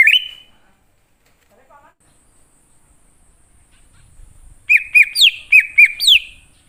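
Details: Forest-type greater green leafbird lure recording: a brief warbled whistle, a long quiet stretch with a faint chirp, then a fast run of sharp, rising whistled notes repeated several times.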